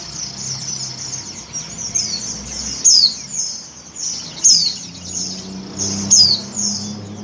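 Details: Female Oriental white-eye in breeding condition calling the male. Repeated bright, high, downward-sweeping chirps roughly every one and a half seconds, interleaved with softer thin twitters; low hum in the background.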